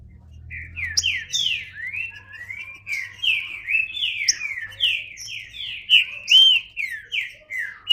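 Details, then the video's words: A green-winged saltator sings a long, continuous string of whistled downslurred notes at a lively pace over a faint low hum. "Trinca Ferro (cantando)"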